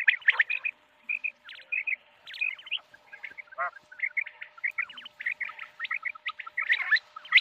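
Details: Common quail calling with short, clipped whistled notes, mostly in quick pairs and triplets, repeated through the recording with a few rising slurred notes mixed in.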